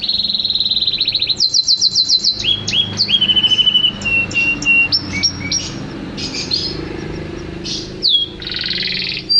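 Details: Vigorously singing (gacor) champion canary: a rich, varied song of rapid rolling trills, buzzy bursts and clear whistled notes at changing pitches, delivered continuously with hardly a pause.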